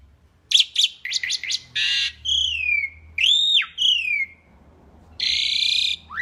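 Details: Asian pied starling in strong song for use as a tutor recording. A few quick chirps lead into harsh rasping blocks and long, clear whistles that rise and then fall, with quiet gaps between phrases.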